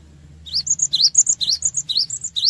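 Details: Gelatik batu, the cinereous tit, singing a lure song for quick responses; rapid high rising chirps alternating with short whistles, repeated steadily over a low background hum.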